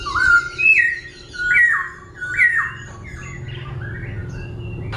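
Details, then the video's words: Caged laughingthrush singing as it dances, shifting voice constantly: three or four loud rich downslurred whistled phrases about a second apart, then softer scattered notes and a faint click, with low background hum. "Khướu vừa hót vừa múa , Đảo giọng liên tục"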